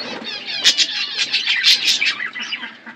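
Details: In a natural outdoor aviary, seed-eating budgies give clipped chirps and squawks in quick bursts, with wing flapping audible between calls.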